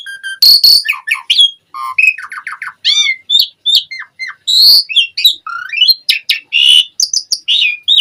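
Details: Energetic full song of an Asian pied starling: dense run of varied whistled, squeaky and buzzy notes, short repeated phrases and rising slurs delivered almost without pause, bright and high-pitched.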